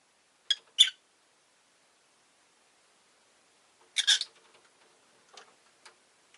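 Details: Rosy-faced lovebird chirping: two sharp, scratchy chirps, a pause, then a rougher rasping call trailing into faint clicks and weak chirps.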